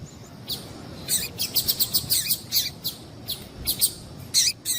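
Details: Female double-collared seedeater calls, used to get males singing: a string of short, high, clipped chips, some in quick runs of four or five, irregularly spaced over a quiet background.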